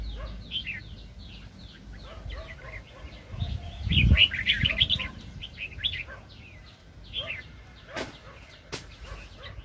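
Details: Red-whiskered bulbuls recorded while trapping wild birds in 2020. Dense, rapid chirps and warbled phrases overlap from several birds, swelling into a loud burst near the middle. Sharp clicks are heard toward the end.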